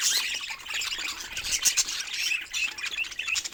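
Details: Continuous budgerigar chatter of raspy warbles, clicks and short high squeaks, steady in loudness with a few sharper peaks throughout.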